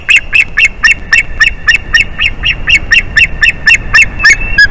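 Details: Unbroken run of high, chirping yelps from an adult male white-tailed eagle that sounds young, calling hard in the nest as the female returns after hours away, April 2021.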